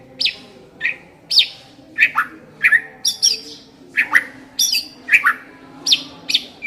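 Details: White-rumped shama lure recording meant to prompt a shama to sing quickly and freely: sharp, squawky high notes, each dropping in pitch, repeated roughly twice per second, with a faint low hum behind.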